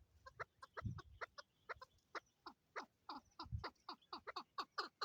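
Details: Chukar call from Swat, Pakistan, with a male and a female recorded in 2022: evenly spaced, harmonic clucking notes run for five seconds, several per second. Brief low thumps and voices sound twice in the background.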